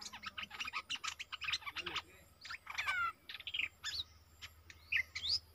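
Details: Old captive decoy bulbul used to lure a rival into a fight, recorded 31 December 2021: rapid chirps with swooping, slurred whistles and a falling note, over a low rumbling hum.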